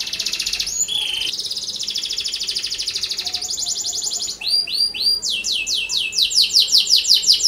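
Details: Canary singing as a lure for other canaries: a long, dry rolling trill, then quick flourishes and an accelerating run of loud swept notes.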